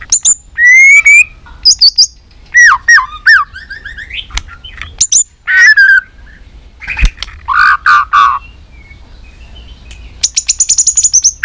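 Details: Competition fighting song of a white-rumped shama being excited into singing: bursts of bright whistles, rising sweeps, buzzy stacked notes and a fast high trill near the end, all loud with brief silent gaps.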